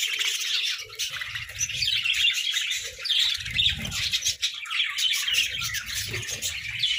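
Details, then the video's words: Captive budgerigars bickering over food, steady high chatter of overlapping chirps and warbles, with intermittent low rumbling knocks. "Parakeet Symphony & Budgie Brawls: Chirping Sounds and Food Fights!"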